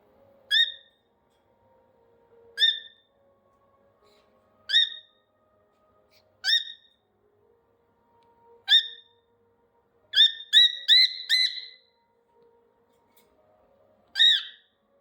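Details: A cockatiel gives loud, clear chirping calls about every two seconds, then a quick run of several, on a cold day while kept warm.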